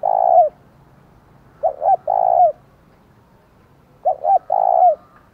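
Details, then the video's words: A decoy spotted dove sings its challenging thúc call in the thổ voice style to lure rivals: a long coo, then two more phrases of two short notes plus an extended rough coo, about two seconds apart. "Chim Cu Mồi, tiếng thúc vang cả xóm mở lên kích bổi hiệu quả"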